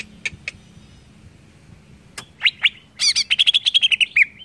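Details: A greater green leafbird sings to provoke other leafbirds: two isolated chirps, a pause, a few loud slurred notes, then a fast, dense chattering run ending in a falling whistle.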